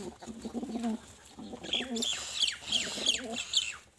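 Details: Pigeon giving short low burbling coos, overlapped by repeated sharp high chirps from another bird, with room noise behind.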